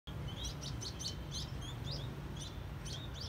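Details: Free sparrows on a rooftop terrace in Saigon on 3 December 2022 give short, bright chirps, about three a second, in an irregular run over a steady low rumble of wind or traffic.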